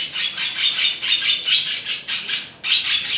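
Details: Courting budgerigars at mating time give a steady, rapid warble. It is made of quick scratchy pulses, roughly two to three each second, with one short break before the chatter resumes.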